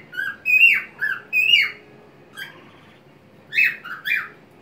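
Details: Indoor white-faced cockatiel singing as it swings on a homemade swing, wings open, tilting its head; loud slurred whistles in quick pairs, a soft note, then two more bright phrases.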